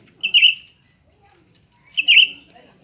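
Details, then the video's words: Cucak ranting contest between a new bird and an established one; two clear warbled phrases about 1.7 seconds apart, each a brisk rolling burst, with faint low background noise. "pertarungan antara dua burung cucak ranting baru dan lama"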